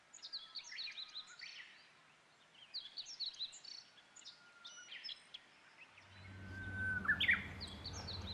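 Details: On Mount Rokko, Japan, a Japanese bush warbler sings overhead on the spring equinox, 21 March 2015. A flat whistle is followed near the end by loud, quick upswept notes, over busy high twittering of other birds and a low rumble.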